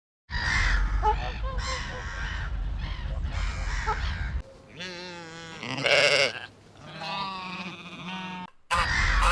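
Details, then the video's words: A domestic goose gander gives harsh, nasal cackling honks in quick bursts for about four seconds, followed by a sheep's wavering bleats. "Gander Goose Cackling"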